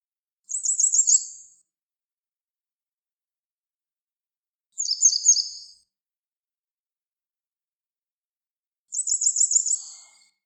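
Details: Wild grey wagtail singing: three brief bursts of high, sharp, rapidly trilled notes, about a second each and spaced roughly four seconds apart, with clean silence between phrases and no other sounds.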